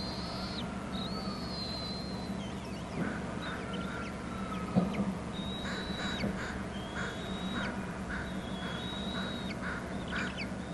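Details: Bald eaglets calling at a Hornby Island nest as an adult arrives with food: thin, high whistled notes held level then dropping sharply at the end, repeated irregularly, with short harsh bursts and a low steady hum beneath.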